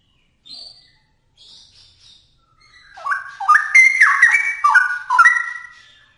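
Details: A few faint high calls, then a straw-headed bulbul launches into loud, gurgling whistled song with notes leaping up and down in quick succession.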